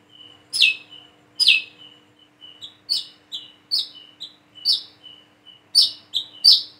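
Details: Plain-throated sunbird learning to sing: two loud falling chirps, then a quick chain of lighter high twittering notes and thin whistles, ending in a louder burst of chirps.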